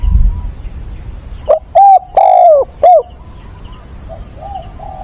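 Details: Decoy spotted dove cooing at dawn on 22 October to excite and train another dove; one loud phrase of short coos around a long drooping note, followed by fainter cooing further off.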